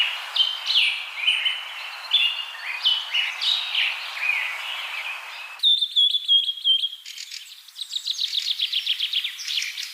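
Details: Common myna giving a varied run of short, chattering and slurred whistled notes, then an abrupt switch to a clean, steady whistled tone with a quick trill, followed by rapid repeated chirps.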